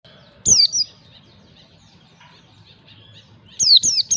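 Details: White-eye lure recording in the wild-forest ngalas style, used to train birds: two short bursts of high, sharp, downward-slurred whistles, three notes then two, separated by a quiet pause with faint background hiss.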